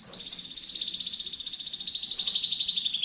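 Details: Piercing song of a canary used as a master bird for magpie-robins. A fast, even, high rattling trill runs throughout with steady pulses, over light background hiss.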